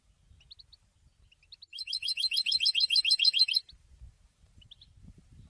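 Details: Goldfinch song for training young singers: light chirps give way to a regular, fast, buzzy-tinkling trill of close-packed high notes about two seconds long, over faint low rumbling background.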